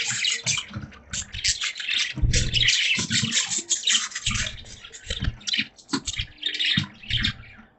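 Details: Caged pet budgerigars chatter during rain in a steady stream of scratchy, warbling chirps over the hiss of rainfall.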